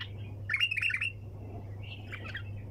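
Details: Bulbul calling nonstop in the 'sayyad' (hunter) style of 'tak janah' wing-flick calls: a loud, quick, squeaky warbled phrase of bright notes, then a softer chattering follow-up, with a constant low hum behind.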